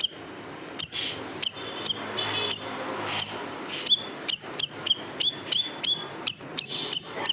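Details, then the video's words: Large siri-siri bird in a 'tembakan pedas' song recording made for tutoring caged songbirds: sharp, very high downslurred chirps with a lower echoing note, repeated steadily about twice a second, a soft faint warble underneath. "SIRI SIRI BESAR TEMBAKAN PEDAS | MASTERAN BURUNG KICAU"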